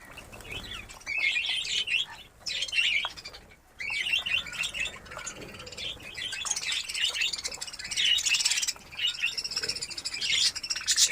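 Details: Budgerigars in a newly set up breeding colony at Darbhanga, Bihar, giving bursts of high, scratchy warbling chatter with short quiet gaps, many birds calling over one another.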